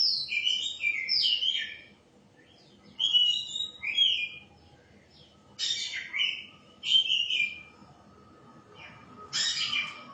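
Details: Singing white-rumped shama: a long, melodious warbled phrase, then several shorter, clear whistled bursts spaced a second or two apart, each with sharp rising and falling notes.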